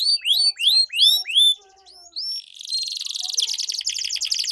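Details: Canary duel song with long rolls, used to prompt silent competition canaries into song. Five loud looping whistled notes, a brief pause, then a soft buzz building into a rapid pulsing roll.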